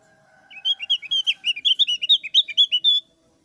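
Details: Javan grey-throated white-eye with thick brows, singing loud and clear while chattering, played to prompt other birds to sing: a faint steady tone, then a lively string of about seventeen quick high chirps.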